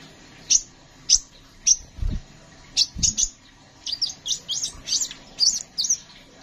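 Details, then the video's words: Kolibri ninja sunbird in full lively song, used for tutoring cage songbirds: spaced piercing high chirps about every half second, then a denser string of quick varied notes, with faint low thumps underneath. "Burung Kolibri Sepah Raja gacor"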